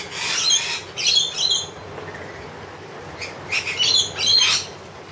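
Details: Several wild lorikeets being hand-fed honey give harsh, buzzy screeches in short bursts: two rasping volleys in the first second and a half, a pause, then a longer grating burst.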